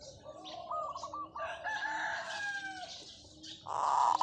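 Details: Zebra dove kept as a decoy bird, singing long calls: a rolling, stuttering coo that stretches into a held tone, then a loud harsh burst at the end.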